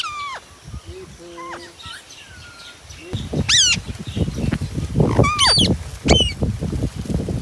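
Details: Pet Indian ringneck parakeet, a talking parrot, giving shrill rising screeches and short whistled notes, mixed with low murmuring, thumps and handling noise.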